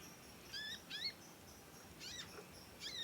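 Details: Young conin learning its song, chirping at length and singing vigorously, suited for song tutoring: four bright, high, downward-sweeping chirp notes in quick succession with light background hiss.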